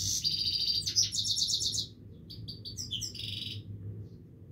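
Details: Himalayan goldfinch in continuous song: fast, bright, trilling twitters and chirps in two phrases separated by a short gap, over a faint low background hum.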